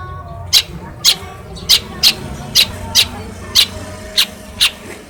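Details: Caged long-tailed shrike from Cilacap, raised by hand-feeding and trained on phone recordings to mimic other birds, gives about nine loud, rasping, scratchy notes spaced roughly half a second apart over a low steady background hum.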